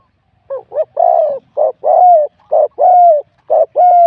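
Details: Spotted dove, wild-caught, competing in a singing contest with an 87-point score and a medium-to-large voice. Four rapid two-part coos run close together, a short burred note leading into a fuller sustained hoot each time, in near silence.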